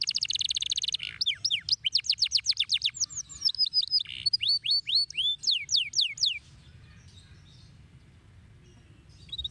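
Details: A canary opens with a buzzy roll, then delivers quick series of rising and falling whistled sweeps about four per second, fading to near silence for the final seconds.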